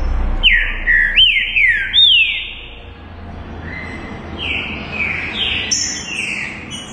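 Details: Singing trinca-ferro, the green-winged saltator: loud hooked whistles sweeping down in a quick linked series, then softer, more distant-sounding downslurred whistles over a steady background hiss, with a high faint note near the end.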